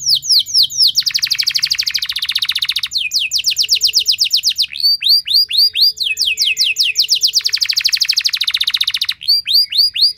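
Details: Lure song from a canary, long and loud, meant to trigger singing in other canaries: repeated bursts of curved whistles and fast buzzy trills over about ten seconds, with a faint steady tone in the background.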